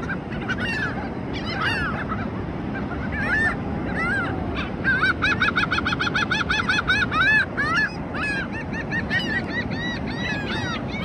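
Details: Seabirds calling on the ocean shore at South Padre Island, Texas, during spring break: a busy run of nasal, harmonic, laughing calls, rapidly repeated and overlapping, loudest midway, over a steady rush of surf.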